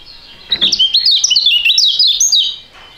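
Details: Young Indonesian songbirds, a pair of contest birds with a fighting style, in a duet; a dense, high-pitched burst of fast twisting, chattering whistles lasting about two seconds, abruptly starting and stopping, in a quiet setting.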